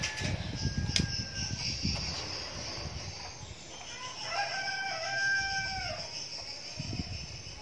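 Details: Crowing of a young red junglefowl decoy, a multi-part harmonic phrase in the middle, surrounded by rustling, low thumps and a persistent insect drone.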